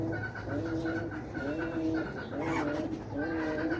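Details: Ornamental pigeons from a mixed collection of fancy breeds give low, throaty cooing phrases that repeat roughly every second, with overlapping birds and steady background noise.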